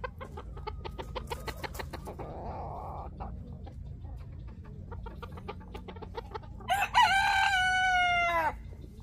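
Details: White bantam Phoenix rooster crowing: one loud, harmonic, drawn-out crow near the end, held steady then falling away, preceded by several seconds of quick, soft, repeated clucking and faint background noise.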